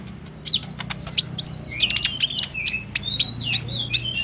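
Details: Lure song of a sunbird, locally kolibri ninja ijoan or konin trotol, played by day to make a caged bird sing, recorded on a Samsung J5: sharp high chirps, then fast scratchy trilled phrases and thin whistles, low hum underneath.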